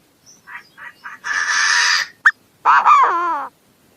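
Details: Chinese francolin calling: a few soft short notes, then a long harsh buzzy note, a sharp click, and a loud grating call with harmonics sliding downward.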